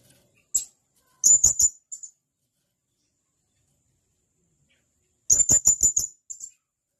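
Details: A male blue-crowned hanging parrot calling to companions gives one lone piercing note, then a quick run of shrill clipped notes with a trailing extra pip. After a long pause, a similar run of six sharp notes follows.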